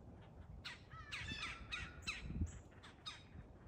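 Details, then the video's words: Wild woodpeckers fighting furiously over territory; harsh, raspy, buzzy calls come in quick bursts of about one every half second, some with a nasal rising tone, over faint low background noise. "Woodpeckers fighting for territory"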